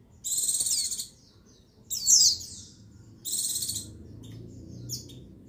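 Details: A female white-eye (pleci buxtoni) call, used to stimulate males into singing, gives three thin, high buzzy bursts about a second each, spaced roughly a second apart, followed by faint sharp chips.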